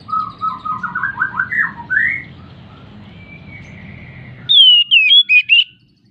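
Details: Oriental magpie-robin (kacer) in breeding condition, song used as a lure to get silent birds singing: a run of quick rising slurred notes, a long steady whistle over low hum, then a loud burst of sharp, bending whistled phrases.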